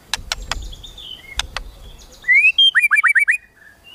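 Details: Kretekan tembakan song of a white-rumped shama, used to stir emotion: a few sharp clicks first, then a rising whistled slur and a fast burst of five or six clipped, downward-sweeping notes.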